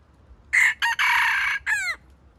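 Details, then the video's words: Crowing of a decoy junglefowl meant to draw wild chickens into a trap: a choppy, stuttered crow of four rasping parts, the final part sweeping down in pitch. "Trap wild chicken with stuttering bait is fascinating"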